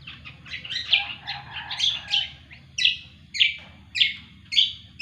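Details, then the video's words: Lively cucak kombo song, a jumble of chattering notes that breaks into loud, clipped whistled phrases repeated roughly every half second, bright and high-pitched against faint low background noise. "burung cucak kombo gacor"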